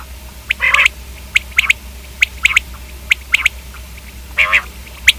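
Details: Common quail giving scattered short, dry clicking notes in pairs and triplets, with two brief buzzy nasal phrases, separated by quiet gaps over a faint background hum.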